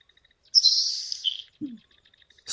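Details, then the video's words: Nelson's Sparrow giving its breathy, hissing 'bacon sizzle' song, a quiet call that carries barely 50 m: about a second of sizzling rush sputtering out at the end, then a brief low thump. "So, let's listen to the Nelson Sparrow here."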